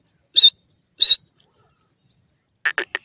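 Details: Partridge (teetar) voice: two sharp, buzzy whistled notes about half a second apart, then silence, then a short burst of dry 'tik' clicks.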